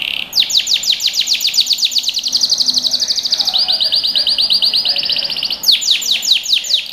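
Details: Young-bird training song of a canary: a long run of crisp falling chirps gliding into a rolling, even trill, then a return to rapid descending notes.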